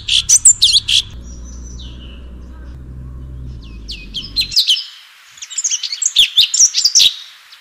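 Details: Cucak cungkok, the Orange-bellied Leafbird, singing 'full tembakan': bright high twisting notes at first, then a pause over a low humming background, then a dense burst of mixed chirps and whistles.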